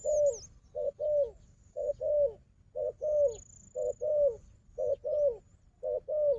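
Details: Aggressive wild dove calling against a strong decoy: steady low coos, brief note plus longer descending note, repeated about once a second, with a faint high whistle behind.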